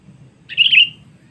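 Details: Lure recording of a sooty-headed bulbul calling out rivals. A single quick, chirpy warble rises and falls briefly, then trails off, with a soft low rumble underneath.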